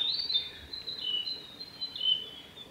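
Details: A male Japanese robin at Yanagisawa Pass, Japan, on 26 May 2019, gives a high, sustained trilling run that steps slightly down and up in pitch for nearly three seconds, over faint background hiss.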